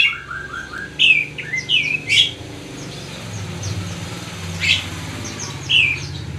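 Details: Oriental magpie-robin song: scattered varied chirps and short whistled phrases, some rising and some falling, over a steady low background hum.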